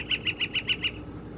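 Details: A Northern flicker on 17 April 2021, in a recording of its mating call and drumming, gives six quick, evenly spaced, fairly high notes in under a second, then stops; no drumming is heard, and the background is quiet.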